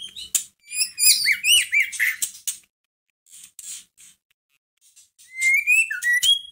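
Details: Caged white-rumped shama, played to stir up and provoke a caged shama into singing: varied rich song of rising whistled slurs, sweeping high notes and harsh buzzy bursts, with pauses between phrases.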